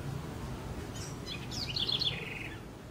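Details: House wren singing in Brazil: a short burst of high, scratchy notes that tumble downward into a quick buzzy trill lasting about a second, over a steady low rumble of background noise.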